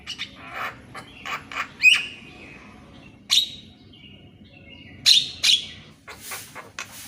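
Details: Morning Javan myna song, used to prompt mynas that will not sing: scattered clicks and soft chatter broken by a few sharp whistled notes and loud harsh bursts at irregular intervals.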